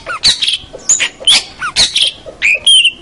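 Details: Long-tailed shrike, known as pentet, singing busily as tutor material for local birds: tightly packed scratchy notes with short whistled slides, some swooping down and others rising, in a dense chattering sequence.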